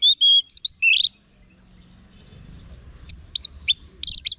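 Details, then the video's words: Orange-headed thrush song meant to prompt kept birds to reply. It opens with a quick series of varied whistles and sweeps, then after a pause gives spaced sharp high notes and a final buzzy burst. "Guru Vokal ANIS MERAH Agar Selalu Ikut Nyaut Ngeplong di Rumah"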